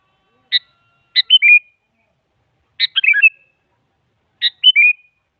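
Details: Sooty-headed bulbul song, a female calling a male, used to make a silent bulbul reply: three clean whistled phrases of short sharp notes and falling slurred whistles, about every two seconds.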